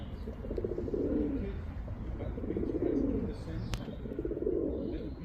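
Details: Male pigeon cooing to call a female: three low, throaty rolling coos, each about a second long, spaced roughly every one and a half to two seconds, over a faint steady background hum.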